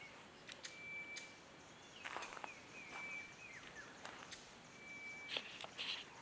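A crested barbet gives faint, long, even trills at a steady mid pitch, repeated three times, over soft clicks and rustling footsteps.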